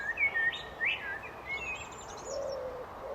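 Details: Brief blackbird phrase: two quick liquid whistled notes rising and falling, followed by faint high twitters, with a single low soft coo at the end.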